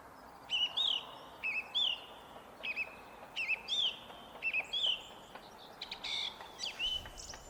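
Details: Song thrush in fog, delivering a clear, emphatic whistled phrase over and over, about eight repetitions with short gaps, ending with a slightly different higher note cluster.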